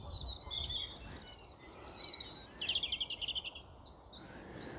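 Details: Song thrush singing in near-complete pre-dawn darkness: bright, high phrases, one a rapid run of about six repeated notes (notes repeated three to six times), with about three other thrushes singing nearby in a triangle, under soft hiss.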